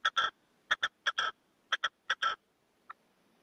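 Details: Male red-legged partridge decoy in a cage calling to wild partridges: grating phrases of two or three notes ending on a longer buzzy note, four phrases and then a faint single note.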